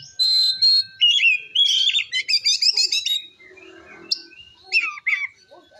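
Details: Oriental magpie-robin (kacer) singing gacor ngeplong to provoke rival magpie-robins: a buzzy trill, then loud varied whistles and fast chattering notes, trailing off into softer scattered notes and faint background noise.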